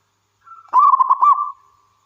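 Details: Wild local zebra dove, kept as a lure to prompt other doves to sing. A soft lead-in note is followed by a single bubbling, stuttered coo phrase of rapid pulses that trails off into a fading tone.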